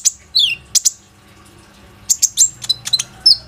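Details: Lure song of a lively Plain-throated sunbird meant to get other sunbirds singing, taken with an Oppo A37f phone: a high chirp and a falling slurred whistle, a short pause, then quick sharp tweets and a final downslurred note.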